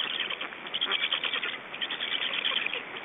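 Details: In Estonia on the evening of 3 June 2012, 19:18, black stork chicks left alone at the nest keep up a steady harsh, hissing chorus with grating squeaky notes throughout.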